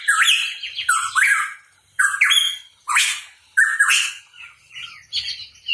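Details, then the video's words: Cucak rawa papua, the hooded pitohui, singing: a quick series of loud, grating notes, some opening with a short whistled upslur, delivered in bursts about one second apart, then softer clipped notes. "Cucak Rawa Papua Gacor | Pitohui Bird Chirping"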